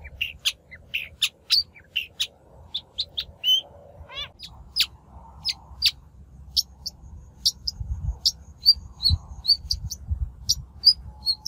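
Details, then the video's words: Shrike lure recording for trapping or voice training: quick varied clicks and chips, a rapid rattled trill in the middle, then thin high squeaky notes repeated at short intervals. "Tiếng chim Bách Thanh mồi"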